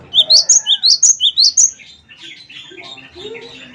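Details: Wingko-type cinereous tit (gelatik batu) in full song, played to set other birds singing: about eight sharp whistled notes see-sawing between high and lower pitch, followed by quieter scattered chirps.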